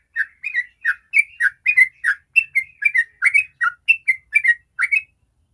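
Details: A sooty-headed bulbul sings 'ropel', used to lure other bulbuls into song: regular, lively whistles, mostly in pairs of a high and a lower note, then silence at the close.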